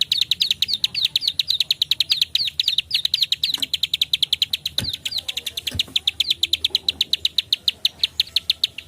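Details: A bar-winged prinia gives a fast, steady run of high, sharp clicking notes, about seven a second, continuing without a break; the recording is used to lure other prinias into calling.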